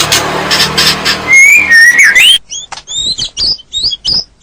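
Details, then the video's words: Training recording of white-rumped shama song for a stressed non-singing bird: background hiss gives way to clear gliding whistles, then a string of short, sharp, high two-part notes with brief gaps. "Masteran Ampuh Untuk Murai Batu Macet, Setres"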